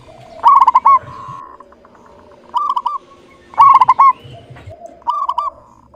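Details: Local zebra dove singing actively with a clear voice: stuttering, bubbly coos delivered in short bursts roughly every one and a half seconds, each burst a quick run of rolling notes followed by a softer trailing coo.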